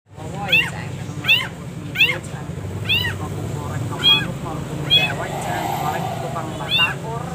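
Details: Long-tailed shrike song used to train caged birds, delivered with many pauses: loud, harsh, arched harmonic notes repeated roughly every second, over a steady low hum and background noise.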